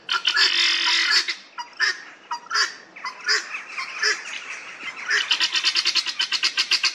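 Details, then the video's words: Helmeted guineafowl, a group in a Northamptonshire churchyard in England, calling with loud honking, squawking notes that start irregular and spaced, then speed into a fast, even run of harsh clucks near the end. "Helmeted Guineafowl | Numida meleagris"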